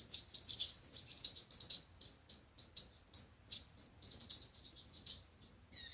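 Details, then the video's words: Five-colour and seven-colour sunbirds singing, a recording used on a loudspeaker to trap birds: dense high twittering at first, then sharp separate chirps spaced roughly every half second, ending in a brief lower note. "Tiếng chim hút mật 5 màu và 7 màu"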